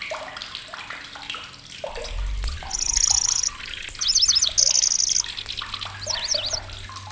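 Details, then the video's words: Migrant lanceolated warbler in Indonesia giving loud, shrill song with rapid high buzzing reels and zigzag twittered phrases, over a busy backdrop of lower slurred notes and water-like rushing. "BURUNG || KECICI BELALANG"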